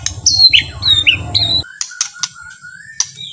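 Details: White-rumped shama, or murai batu, slow relaxed song used to provoke other shamas into singing. Short, sharp whistled notes sliding down, followed by a long, quiet, rising whistle among clicks and a low hum.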